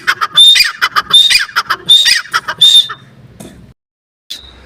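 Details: Partridge: a quick string of loud, rasping notes with thin whistled peaks, fading into quiet low rumble and a short silence before a single final note.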